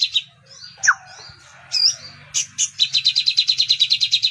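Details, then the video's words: Sogon, or crimson sunbird, with kapas tembak filler in its song: scattered thin whistles and a quick downward slur lead into squeaky notes, then a fast, evenly pulsed high trill; soft low humming in the background. "SOGON ISIAN KAPAS TEMBAK"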